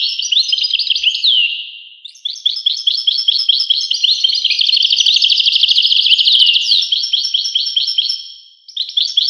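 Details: European goldfinch song: a downslurred note, a brief drop, then long bursts of fast liquid twittering and trills, with a short pause before a final phrase.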